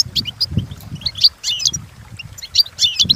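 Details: European goldfinch song played for training goldfinches: rapid, high tinkling twitters and buzzy trills in irregular bursts, with soft low thumps underneath.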